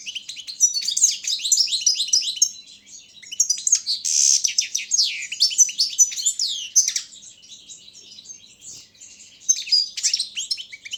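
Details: Balkan goldfinch (Carduelis carduelis balcanica) singing for a Serbian online championship: a long, varied stream of rapid chirps, sliding whistles and a harsh buzzy burst, softening briefly before a final lively flourish.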